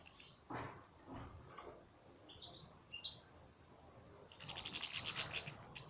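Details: European goldfinch singing in captivity: a few scattered high thin notes, then a bright, rapid, buzzy twittering burst that runs for over a second, with faint low background rumble.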